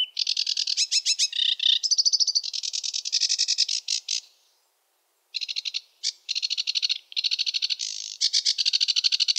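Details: Sedge warbler delivering its varied, rushed song: long runs of scratchy chattering and buzzy trills, a pause of about a second, then more harsh chatter with scattered sharp notes; quiet surroundings.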